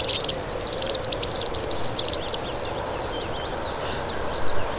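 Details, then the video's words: Common grasshopper warbler (Locustella naevia) giving a high, insect-like continuous buzzing reel that weakens after about three seconds, with brief chirps from other birds scattered through it. "Common Grasshopper Warbler Call"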